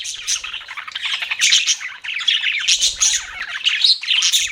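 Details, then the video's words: Budgerigars keeping up a busy, scratchy warble, quick chirps and squawky notes overlapping, with a brief dip near the midpoint and soft low knocks. "BUDGIES CHIRPING SOUND"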